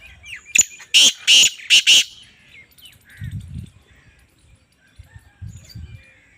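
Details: Black francolin female giving its call: a short lead-in note, then four loud, rasping, buzzy notes delivered rapidly over about one second, followed by low rumbling background noise and faint chirps.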